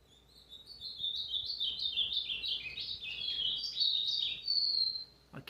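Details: A loud, lively warble from an ultramarine grosbeak (azulão pardo), 29 August 2023: quick slurred high notes tumbling in an uneven sequence, ending on a drawn-out whistle before a sharp knock.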